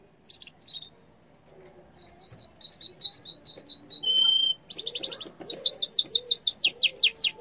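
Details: Yellow canary singing: a few sharp high notes, then a repeated two-note phrase, a sustained flat whistle, a buzzy rattling burst and a quick descending trill of rapid strokes.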